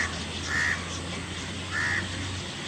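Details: A Chestnut-tailed starling gives two short, harsh, mid-pitched notes about a second apart over steady low hum, in the morning at a riverside in Payangadi, Kannur.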